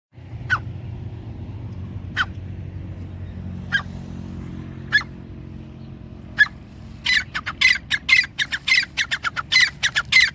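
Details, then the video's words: Grey francolin call: sharp clicking notes spaced about every second and a half, then a fast burst of loud repeated metallic notes, over steady low rumbling background noise. "Teetar ki awaz"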